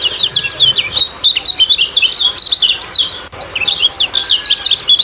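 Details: A lure recording for captive birds carries kecial kuning ciak-ciak song: a steady torrent of high, sharp, zigzag chirps with a few brief pauses, otherwise clean.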